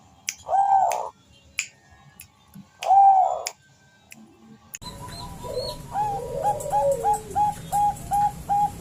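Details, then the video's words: Female zebra dove of the Bangkok type calling to a male, used as a lure recording: two drawn-out cooing notes, then a run of short, evenly spaced cooing notes repeated about twice a second over a steady hum. "suara perkutut betina memanggil jantan"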